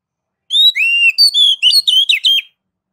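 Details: Kacer, or oriental magpie-robin, singing ngeplong-style master phrases meant to lure other kacer into song: a bright two-second sequence of pure whistles, one long falling note followed by quick looping, rising and dropping notes.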